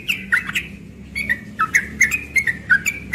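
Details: Morning ropel song of a young yellow-vented bulbul: scratchy, squawk-like notes mixed with bright whistles, in quick bursts with a short break.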